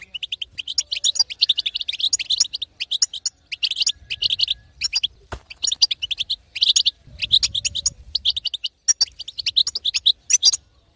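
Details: Female European goldfinch giving 'betbeta' calls meant to excite a silent male into singing: rapid bursts of high, tinkling twitters in phrases of about one second, separated by short pauses. Low hum runs faintly underneath.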